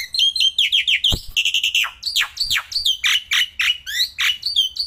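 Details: Black-winged myna, a kept bird singing nonstop outdoors and while held: a rapid, varied stream of loud, shrill, down-slurred whistles and chattering notes, with one brief thump in the middle.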